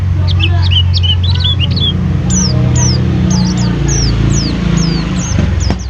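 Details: A Mountain white-eye that lives at a stall pours out crisp, high, downward-sliding whistles in rapid series, over a constant low engine-like hum.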